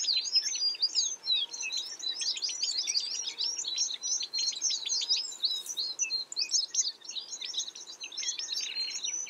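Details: American tree sparrows calling together: a thick, lively wall of high chips and twitters, many short notes packed closely and overlapping, steady for the whole stretch with little pause.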